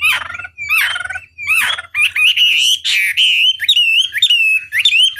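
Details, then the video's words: Chinese hwamei, a master song used as a lure to provoke other hwameis into answering; loud varied whistled phrases with rich harmonics, slurred notes and rapid trills, sliding up and down, given in bursts with short pauses. "Pancingan Masteran Wambi Durasi Panjang Efektif Pancing Lwan Agar Nyaut Emosi Gacor"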